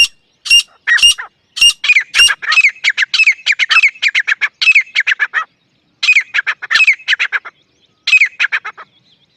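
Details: Grey francolin, desi, calling loudly: a few piercing high notes open a dense, harsh chattering run of repeated syllables. Two shorter shrill bursts follow after brief gaps.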